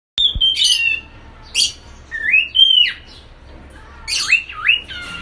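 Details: An albino cockatiel sings a series of bright whistles that slide up and down, broken by harsh squawky notes.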